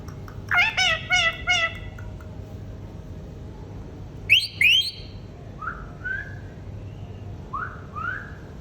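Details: Pet green ringneck parrot vocalizing: four quick harmonic chirps, then a pair of sharp, high, rising screeches, followed by softer whistled upslurs at intervals over a faint background hum.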